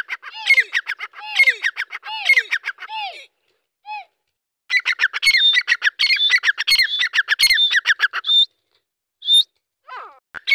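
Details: Young Deccani grey francolin calling: bursts of rapid, harsh, repeated squawky notes with ringing overtones, broken by a few drawn-out downward-curving notes, pausing briefly mid-clip before another dense run and a few scattered closing notes.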